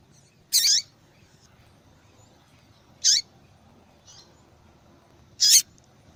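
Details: Female double-collared seedeater calling to spur males into song; three high, rasping chirps spaced roughly two and a half seconds apart, with a faint soft note between the later two.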